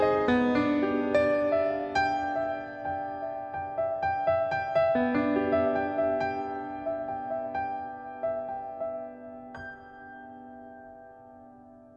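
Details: Soft piano music plays throughout, slowly fading, with no animal sounds heard.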